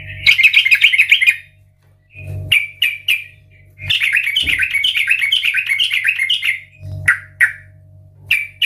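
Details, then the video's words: Sooty-headed bulbul belting 'gacor ngeplong' song: long fast bubbling warbled phrases interspersed with short sharp whistled chirps, repeated in bursts, over a constant low electrical hum. "Pancingan Trucukan agar Bunyi dan Gacor"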